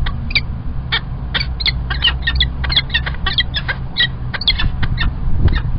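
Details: Male peregrine falcon bringing early breakfast at Kingston College in the UK, 1 March 2021. Short, grating notes come in irregular bursts, some doubled, above a constant deep hum.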